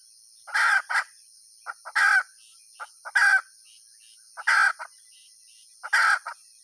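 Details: Domestic hen giving a run of five harsh, clipped squawks, each with small lead-in and tail notes, spaced roughly every 1.3 seconds, over a steady high background hum.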